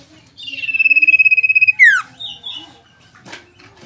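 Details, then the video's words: A tame Common Iora gives a long, high, vibrating whistle of about a second and a half, then a quick downward slur, with faint background noise. "Burung sirtu cipoh yang sederhana jinak dan gacor"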